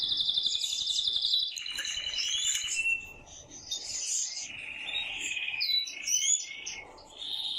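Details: Canary male in vigorous song to stimulate the female to mate, mixing a high trill, lower rolling passages and short whistled upslurs, with brief pauses between phrases.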